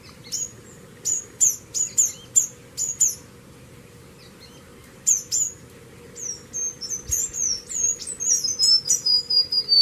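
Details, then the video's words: Sharp, high chips of a White-rimmed Warbler come in quick irregular clusters, then the song breaks into a rapid, tumbling run of thin whistled notes that slide downward at the end. A low hum sits in the background. "Cantos Del Arañero Silbón"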